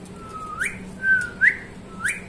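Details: Talking parrot kept indoors, giving clear whistled notes, each a long level tone that sweeps upward at the end, three in quick succession, over a low steady room hum.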